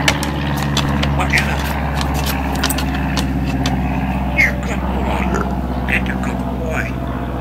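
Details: A pet African grey parrot, known to give the dog orders and recite its own phone number, talks in clear, human-like words and short phrases over a steady low engine hum. Grey parrot.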